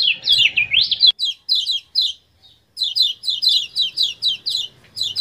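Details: Common iora from Lombok, used as a training recording to provoke captive birds to sing: rapid, sharp chirping notes, first a quick run of slurred rising and falling whistles, then, after an abrupt break, short 'ciak' notes repeated about twice a second.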